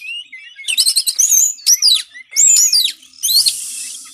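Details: Caged white-rumped shama recording used to prompt silent birds to sing: a short thin note, then a stuttering trill, loud sweeping whistles rising and falling, ending in a harsh buzzy rasp.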